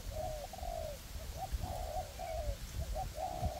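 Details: Spotted dove decoys for trapping, a ground bird and a perch bird, coo together in a forest to lure wild doves. Continuous mellow, slightly falling coos run through, with low rumbling background noise.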